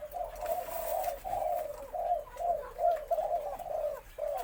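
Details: White Spotted Dove heard from a recording crowing its full four-kuk khan yon song, deep-toned and medium to large in voice: drawn-out low coos run almost continuously with brief breaks between them.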